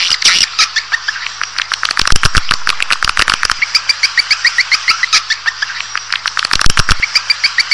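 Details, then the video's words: Swiftlet lure recording, played to attract a colony into a building: rapid dry clicks fired in quick trains, overlaid by high repeated chirps and twittering notes throughout, with a steady low electrical hum underneath. "Panggil Walet Super Versi 3"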